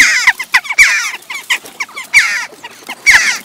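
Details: Several western jackdaws squabble at a feeding station in Recke, Germany, on 18 June 2021, a growing clan with young after breeding season: harsh, squeaky, overlapping notes, bursts crowding together every second or so.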